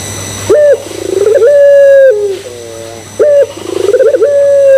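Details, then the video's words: Lure cooing from a Barbary dove of the pelung kind, meant to make other doves join in. A sharp opening note leads into a throbbing run, then a steady drawn-out coo and a quieter wavy ending, twice. "Pancingan Puter Pelung Bikin Puter Pelung Yang Lain ikutan Gacor"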